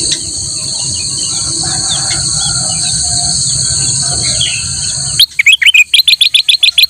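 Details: Black-crested bulbul master song for training other birds. Steady high-pitched insect buzzing and faint bird calls give way at the end to a sudden run of loud, quickly repeated chirps.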